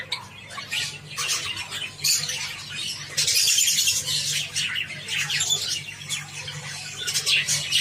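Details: Java sparrows taking wheat produce scattered high squeaks that become a dense, loud chatter in the second half, with a low hum throughout.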